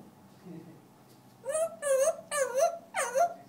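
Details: African grey parrot singing four rich, wavering harmonic notes, each roughly half a second long and evenly spaced, preceded by a soft murmur.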